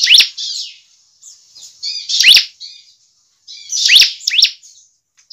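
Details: Bar-winged prinia song used as a lure to stimulate other birds to sing: loud high-pitched bursts with sharp downward-sweeping notes and buzzy trills, delivered in phrases about every one and a half seconds with short pauses.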